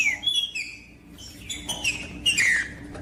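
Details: Trinca-ferro, the green-winged saltator, singing to stimulate cold captive birds before tournaments: clear whistled notes dropping in pitch, a quieter pause in the middle, then a strong descending slurred phrase near the end over a low hum.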